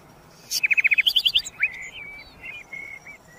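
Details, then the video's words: Common nightingale, called sikatan londo, delivers a rapid series of about a dozen sharp repeated notes, then a rising slur and several drawn-out, thin whistles fading away. "kicauan burung sikatan londo"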